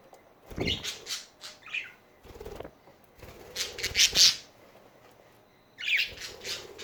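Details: Budgies chatting amid fluttering wing beats, with buzzy squawks and scratchy chirps in clustered bursts separated by brief quiet gaps.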